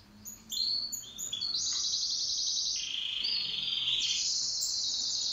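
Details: Pet canary singing in duet, opening with a few separate high chirps before breaking into loud, unbroken rolling trills that switch between a higher and a lower pitch band.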